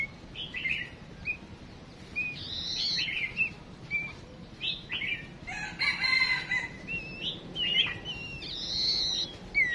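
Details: Decoy female songbird calling to draw males into song: a lively run of short whistled chirps, upslurs and twisted notes, repeated irregularly over ten seconds with occasional louder bursts.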